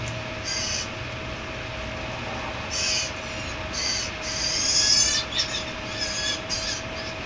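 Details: Several Blue Jay fledglings give harsh, raspy bursts while eating peanuts at 7:37 AM on 6 July 2023. The calls repeat every second or so and overlap, over a steady low hum.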